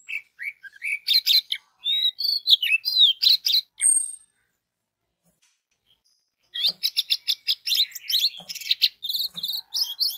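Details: Orange-headed thrush giving a lure song to prompt other orange-headed thrushes into song: two long bouts of rapid, varied chirping and warbling with sharp high notes, split by about two seconds of silence.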